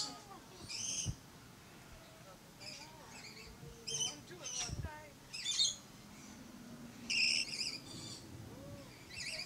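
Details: Red-collared lorikeet at Lion Country Safari in Florida giving harsh, high, rasping screeches in short bursts, singly or in quick pairs, every second or two, over a faint low background murmur.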